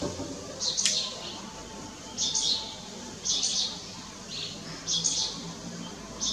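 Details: Striated swallow recorded at Lugu on 30 June 2022, giving short, bright chirping bursts high in pitch, about five spaced one to two seconds apart, over a low steady background hum.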